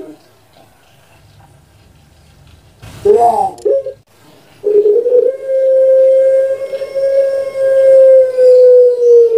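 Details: Barbary dove (puter pelung, Streptopelia risoria), a kept bird, gives a brief wavering rising-and-falling coo, then one long, steady, low hooting note held about five seconds in a quiet room; played to prompt lazy doves to call.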